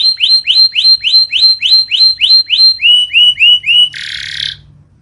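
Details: Canary song from a master training recording meant for birds that have stopped singing: a steady series of rising whistled notes, about three per second, dropping to a lower repeat before ending in a brief harsh buzz.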